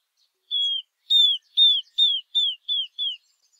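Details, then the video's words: Southern beardless tyrannulet (Camptostoma obsoletum), Brazil, singing seven high, thin whistled notes, each sliding slightly downward, about three per second, with no other sounds. "Risadinha - Pássaro - Canto"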